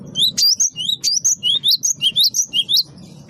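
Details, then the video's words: Great tit song used to lure birds. Bright whistled notes, each slurring upward or downward, come in a steady run of about fourteen phrases within three seconds over a faint low murmur. "gelatik batu wingko gacor pancing bunyi pikat gacor"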